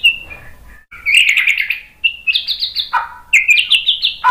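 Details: White-rumped shama song meant to trigger other shamas to sing back: a soft opening whistle, then a buzzy chattering burst, followed by quick repeated high notes and lower dipping whistles in rapid succession.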